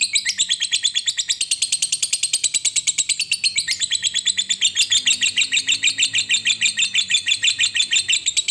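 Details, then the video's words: Lovebird ngekek panjang, a long chatter used to lure other lovebirds into singing: sustained high-pitched rapid trilling chirps, steady pulses several per second, continuing unbroken for over eight seconds. "suara burung Lovebird Ngekek Panjang terampuh buat pancingan Lovebird agar cepat bunyi dan GACOR"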